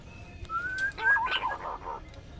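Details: Pink-necked green pigeon giving a brief rising whistle, then a cluster of wavering notes overlaid with harsher, noisy chatter.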